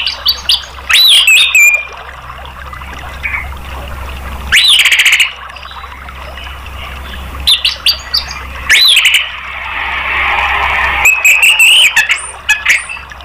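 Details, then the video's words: Orange-headed thrush song used to encourage other caged birds to sing: loud whistled phrases with sharp upward sweeps and chattering bits, coming every few seconds over a constant noisy background. "TERAPI ANIS MERAH bikin ikut NGEPLONG ¦ PANCINGAN AM"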